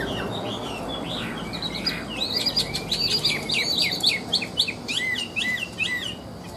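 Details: Chinese hwamei singing the high "ngũ trường" song: a lively series of loud, looping whistled phrases, many repeated rapidly in pairs and triplets, with sharp upward and downward slurs.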